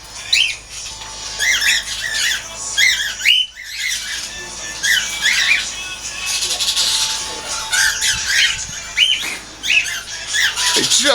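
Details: About 32 cockatiels (around 14 pairs, in various colour mutations) in a large outdoor aviary chirp and squawk in bright, repeated bursts, with a man talking now and then.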